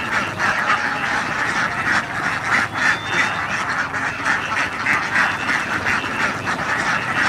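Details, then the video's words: Thousands of ducklings returning to their pen after playing in a rice field, swimming across the paddy water: a large flock calls almost nonstop with harsh, overlapping quacks at about three per second, forming a dense, noisy chorus. "SUARA BEBEK"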